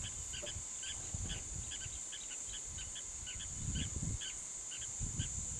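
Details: Two guineafowl give a quick series of harsh, grating notes, several each second, over a steady high insect-like whine and low wind rumble.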